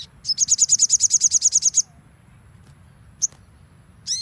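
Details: Crimson sunbird, training recording of nembak song: a rapid train of about fifteen shrill, high repeated notes, then quiet, a single sharp chip and a buzzy swept note at the end.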